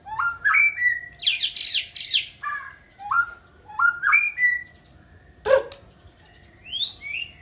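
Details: White-rumped shama, a breeding-stock bird, singing varied clear whistled phrases that rise and slur around the middle register, broken by bursts of harsh buzzy notes and a sharp high click, with short pauses between phrases.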